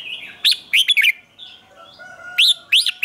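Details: Red-whiskered bulbul singing for morning training, chè style aimed at wild-caught birds. Short bright warbled notes in two clusters, sharply rising and falling, with a faint steady whistle underneath.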